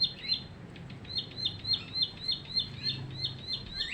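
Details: Recently trapped Bar-winged Prinia, three weeks in a cage, delivers evenly spaced, sharp, high-pitched chips at a fast regular pace, ending with a rising slurred note, over a low rumbling background.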